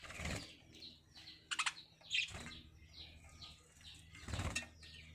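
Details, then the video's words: Lovebirds at a breeding setup give short, separate downslurred chirps and a few harsh notes, with bursts of wing flapping between calls. "Love Birds Singing"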